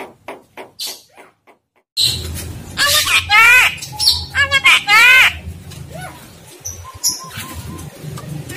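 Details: Javan myna in a tutor recording for training other mynas: after brief talk, harsh rasping notes and stacked, wavering whistles come in quick bursts, then fade to scattered chirps over a low hum.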